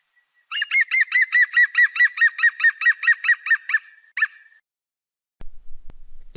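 A European Green Woodpecker gives a loud, laughing run of about fifteen ringing notes over three seconds, then one more note, followed by a few faint clicks.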